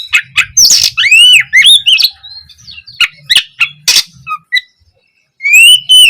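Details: Oriental magpie-robin song, an opening phrase meant for training young birds to reply: loud varied bursts mixing arched rising whistles with harsh scratchy squawks, a short silent gap, then a final pair of bright whistled notes.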